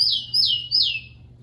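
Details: Three loud downslurred whistles in quick succession, each sweeping from high to lower pitch, from a captive Rufous-collared Sparrow, played to train birds to sing; low hum beneath.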